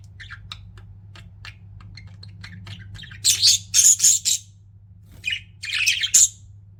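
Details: Pet budgerigars chirping: a few faint, soft chirps, then loud harsh scratchy squawks in short bursts, four or five close together, ending in a final rasping burst, with a low steady hum behind.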